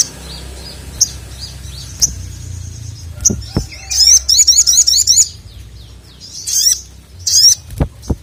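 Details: Little spiderhunter calling the male; soft high ticks, then a quick series of sharp, squeaky chirps repeated in short bursts.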